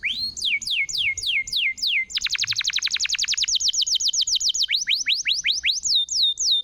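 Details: Canary song played as a lure to restart canaries that have stopped singing: repeated downward-sweeping whistles, then a rapid rolling trill of fast descending notes, then slower falling slurred whistles.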